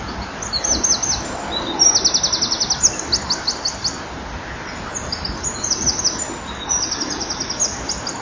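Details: Eurasian wren singing from a hole in the middle of a breeding wall at 18:29 on 11 October 2011. Several bursts of very high, rapid trilled notes run in fast repeated strings against a steady background hiss.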